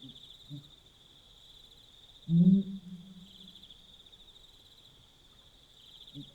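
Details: Pel's fishing owl calling at night along the Limpopo River, Botswana: one deep, booming hoot that swells loud and trails off over a second, soft low grunts around it, and a steady high insect trill throughout.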